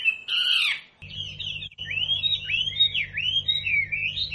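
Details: Captive wambi song used as training material for caged birds: a harsh opening burst, then a flowing series of swooping, warbled whistles that rise and fall, over a steady low hum.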